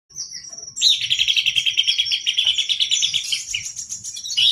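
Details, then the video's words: Buff-breasted babbler singing energetically: a thin high whistle, then a dense, rapid run of buzzy, chattering notes repeated in quick bursts for about four seconds, with faint low rumble beneath. "Pelanduk semak gacor"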